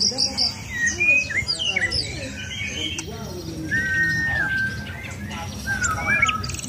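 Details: White-rumped shama out for routine sunning to keep it in contest shape. Scattered twittering and chirps, followed by long, smooth whistled notes held steady, with soft noise behind.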